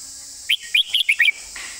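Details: Red-whiskered bulbul sings a quick, clearly articulated 'master song' phrase of about six bright whistled notes, slightly higher and more tightly packed, with a faint trailing note and steady high hiss.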